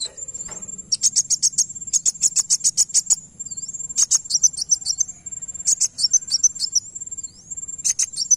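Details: Van Hasselt's sunbird song played to make another bird answer: bursts of very high, rapid metallic tinkling notes in quick trills, separated by short pauses, with a thin steady high whine running beneath.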